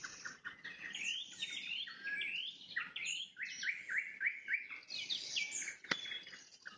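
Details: At sunset a nightingale delivers trills: quick runs of rising, slurred notes repeated in tight series, then a burst of high chattering, one sharp click near the end.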